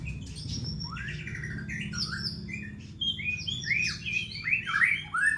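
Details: White-rumped shama, offered as a home lure song: a rapid run of varied whistled notes that climbs and grows louder toward the end, with a low background rumble.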